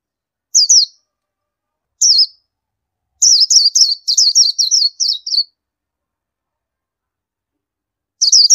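An Indian white-eye gives thin, high, wavering notes: two single calls, then a quick run of about nine, then another after a pause. No other sounds.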